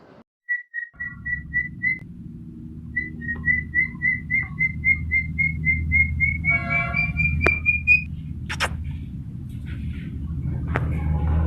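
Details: Talking Raw parrot (Alexandrine parakeet) chirping a long series of even whistled notes, about four a second, pausing once then climbing gently in pitch, over a steady low rumble with clatter and knocks.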